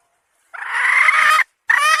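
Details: Hen giving a loud, harsh, nasal squawk held for almost a second, then a short pause and the start of a second squawk.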